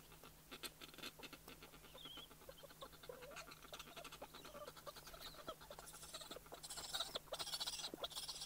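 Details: Snow petrel at the nest, giving close-up courtship calls, first a single bird and then a pair: a fast, harsh, rasping chatter of rapid uneven pulses that builds louder and grittier toward the end.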